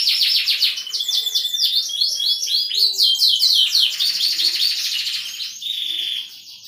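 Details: Canary song in the 'gacor cengkok merdu' style. A fast, rattling run of repeated high notes flows into buzzy, rolling phrases and closes on a sustained whistled note.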